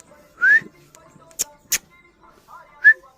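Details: Pet parrot whistling: two short rising whistles, one early and one near the end, with sharp clicks between and faint music in the background.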